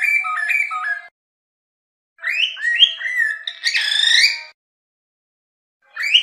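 A cockatiel sings clear whistled phrases of stepped, rising and falling notes in three bursts separated by short silences.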